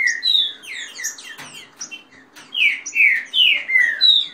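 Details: Competing captive green-winged saltators give the fast rain song, with female calls, for warming up a bird. Scattered high chirps and falling whistles open the passage, a brief lull follows, then strong downslurred whistles come in quick succession.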